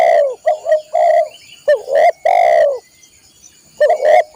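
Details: Repeated coo phrases of a spotted dove, for training caged birds. A series of short notes ends in a long, slightly falling coo, with a pause before the next phrase. A faint high steady tone is present throughout.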